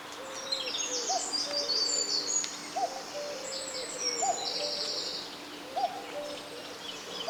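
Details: Common cuckoo heard in the UK on 25 April as the first of spring, recorded outdoors while walking: low two-note hooting calls repeated about every one and a half seconds beneath busy high twittering and chirping from other birds.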